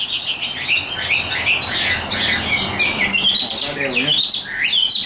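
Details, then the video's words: Caged, hand-tame Chinese hwamei singing high, as suited to fighting contests: a dense, continuous stream of varied whistles and rapid slurred notes, with a brief lower warble near the end. "Họa mi số 1129 Chim thuần sách tay hót cao cầu đấu tốt"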